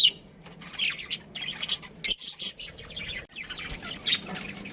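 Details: Captive budgie chirping in uneven bursts of high, harsh chirps and squawky notes with short silences, ending in softer scattered twittering.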